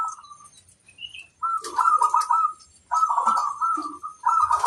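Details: Local zebra dove (perkutut) in a master recording of a bird that sings freely and sets others answering; low, rolling cooing phrases come in three bouts with quiet gaps between them, the later bouts louder and fuller.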